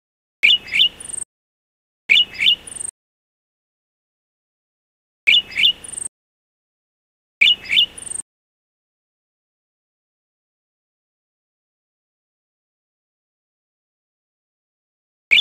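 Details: A Golden-headed Cisticola (Cisticola exilis volitans) gives short buzzy phrases ending in thin, high, liquid notes, repeated at uneven intervals of two to three seconds with silence between.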